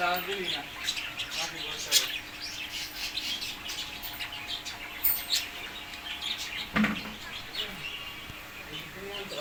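Several cockatiels chatter with quick, bright chirps and short whistled calls overlapping one another.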